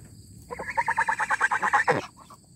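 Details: Domestic goose honking for its owner who has gone out of sight, kept with ducks: a quick series of about a dozen nasal, harsh honks, ending in a louder drawn-out note.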